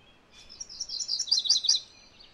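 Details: A MacGillivray's warbler sings one short burst of hurried, sweet, repeated notes, slightly descending at the finish, with a faint steady tone in the background.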